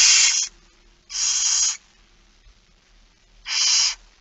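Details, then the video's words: Barn owl at a feeding at 06:57 on 13 September 2019 in Friesland, giving loud harsh hissing screeches, three rasping bursts of about half a second, separated by quiet pauses. "Kerkuil It Fryske Gea 2019 09 13 06 57 voedering"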